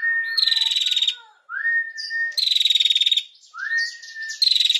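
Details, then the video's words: A female prinia gives a rising whistle that breaks into a fast, buzzy, high-pitched ticking trill, repeated about every two seconds. "PRENJAK BETINA GACOR NGETIR"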